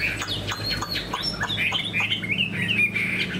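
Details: Caged Chinese hwamei with a spread tail that shows an eagle-wing display and is described as a good fighter. It sings a fast run of loud whistled, slurred notes and trills, and a low steady hum sits underneath.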